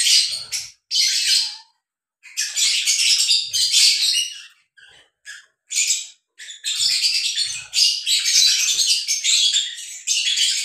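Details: Lovebirds, a breeding pair caught while mating, keep up shrill, buzzy chattering in long dense bursts, with brief silences around two and five seconds.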